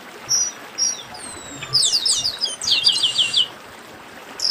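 Chestnut-capped blackbird song: a few thin, high whistles, one sliding downward, then a dense burst of rapid, buzzy chattering notes before a final high whistle.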